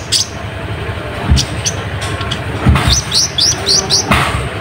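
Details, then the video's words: Olive-backed sunbird (kolibri ninja, konin) used as a lure to draw rival birds: a few isolated high chirps, then a fast series of five sharp upslurred whistles near the end, over low noisy rumble. "Pancingan Burung Konin Gacor Ribut"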